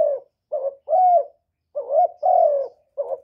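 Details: Caged decoy spotted dove cooing against a wild rival. Deep, mellow coos come as a brief note, then a drawn-out wavering one. About three such phrases are heard, with short silent gaps between them.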